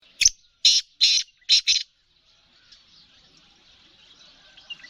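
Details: Female black francolin calling: five harsh, rasping bursts in quick succession over about one and a half seconds, then silence from the bird, with soft twittering of small birds faint in the background.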